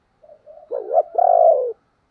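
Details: Spotted dove's coo, used as a lure so wild doves coo back: two soft low notes, then a loud hoarse two-part phrase ending in a long, throaty, slightly falling coo, against a quiet background.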